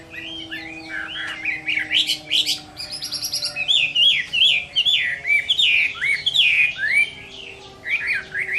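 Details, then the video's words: Chinese hwamei fighting song on a summer midday, a fast run of loud rich whistled and slurred phrases between 2 and 4k, rising and falling notes tumbling without pause, with faint steady low tones underneath. "HỌA MI CHIẾN HÓT TRƯA HÈ"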